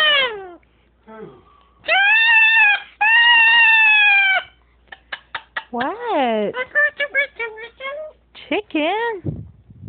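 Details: Captive Moluccan cockatoo indoors talking to its owner about its day: long drawn harmonic cries and swooping wavering notes mixed with rapid short clipped syllables in speech-like bursts.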